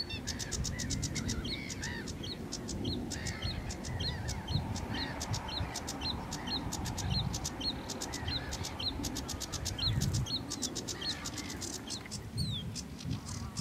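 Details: Sedge warbler pouring out a long continuous stream of rapid scratchy ticks and chattering notes, broken by short slurred phrases and a few sharp high calls, over steady low rumbling noise.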